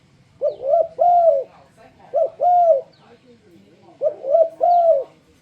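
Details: Spotted dove cooing as a lure for other doves to sing: three even phrases, each a brisk double coo leading into a longer, gently arched note, with faint background murmur.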